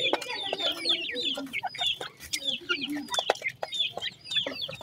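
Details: Young grey francolin chicks, locally called teetar chicks, give a continuous stream of piping, downslurred high notes, interrupted by crisp tapping knocks.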